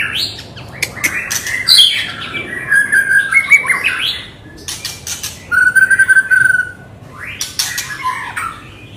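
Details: Agitated white-rumped shama singing as a provoking lure for other birds: bursts of rich, varied whistles and rattling, clattery notes, with a sustained, wavering whistle in the middle, separated by brief pauses.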